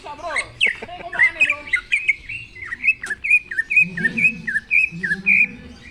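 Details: Greater green leafbird (cucak ijo) singing fiercely: a steady string of clear, high, down-slurred whistled notes, about two per second, follows an opening of jumbled chirps, with a low hum underneath.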